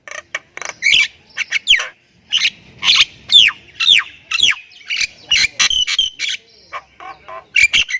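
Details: Javan myna, jalak kebo Thailand type, delivering varied full-isian song: scratchy clicks and squawks mixed with falling whistled slurs, irregularly spaced across the whole recording.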